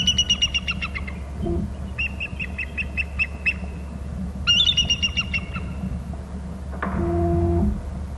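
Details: Bald eagles at their Hornby Island nest, both birds calling and alerting: bursts of high, thin, chittering piping notes in rapid series, three runs separated by pauses, with a brief low knock and a low droning hum near the end.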